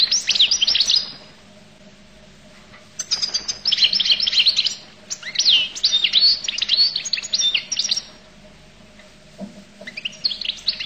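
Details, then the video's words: Collo goldfinch produces several bursts of rapid, high twittering and chirping, each one to two seconds long, with short silent gaps between them. "تغريد حسون القل"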